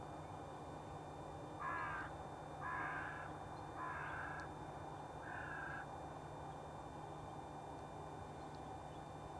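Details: Common ravens in a group feeding on the carcasses of a wild boar and a red deer lying in a frosty heath field; four harsh, rasping caws, each about a second long, spaced roughly a second apart over a steady low hum.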